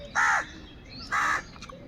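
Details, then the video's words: Two loud, harsh, drawn-out caws from crows fighting for food, each lasting about a quarter second, about a second apart. Quiet background follows with faint distant chirps. "Kaka sound and noises of Crow birds | All types of Crow sounds | Very loud voice of Crow sound"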